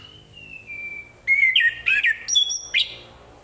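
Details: In the morning an orange-headed thrush sings to get other birds going: a thin level whistle, then clusters of rich, rapidly changing whistled notes in short bursts.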